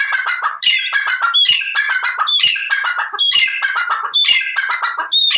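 A francolin gives loud, harsh, squawking phrases, each ending in a clear whistled note, repeated about once a second with no other sounds.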